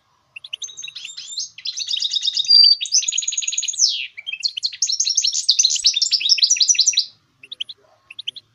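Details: Goldfinch mule, a goldfinch hybrid, singing a song used to train and motivate other songbirds: about six seconds of fast, high twittering trills and buzzy rattles, then a few sharp, sparse chirps.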